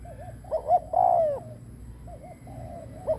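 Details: Spotted dove used as a decoy, cooing to lure wild birds: soft wavy murmurs, two short notes and a single long descending coo, then quiet murmuring again.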